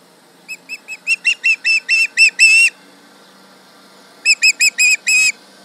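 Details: Yelling at a tractor from its nest at Charlo, 31 July 2019, an osprey gives about eleven whistled notes that start soft and swell to loud, then, after a pause, a second burst of five.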